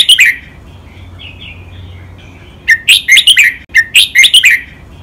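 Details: Red-whiskered bulbul kept in a cage, singing a training phrase of doubled, countable notes with a dragged finish: a short opening burst, a quiet warbling gap, then two dense runs of clear chirped notes in quick succession.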